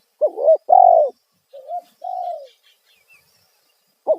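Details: Spotted dove lure call in the 'kuk satu' style, loud and clear. A quick double coo is followed by a long, slightly descending note, then a softer short coo and another sustained note, with nothing else audible.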